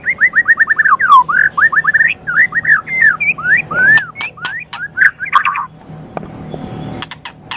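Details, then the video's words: White-rumped shama song as a training master for other birds: dense rapid whistled notes and varied slurred phrases for about five seconds, then quieter spaced clicks and ticks. "SUARA MASTERAN - Ocehan Burung Murai Batu"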